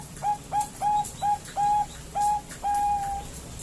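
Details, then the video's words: Female zebra dove, Bangkok type, calling to a male: seven clear cooing notes at one pitch, each about a third of a second apart and growing longer toward the end, with quiet background. "suara perkutut betina memanggil jantan"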